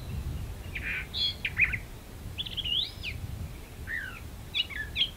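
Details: Brown thrasher singing from a magnolia tree: a series of varied, rich, warbled phrases, some slurred and rising, others buzzy or chirping, delivered in short bursts with brief pauses between them, over a steady low rumble of background noise.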